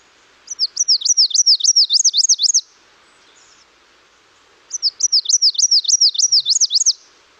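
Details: Nashville Warbler, a second individual whose song differs slightly from the first but is still typical: two songs, each a quick string of about ten high, sweet, looping notes lasting two seconds, with a clean, quiet pause between.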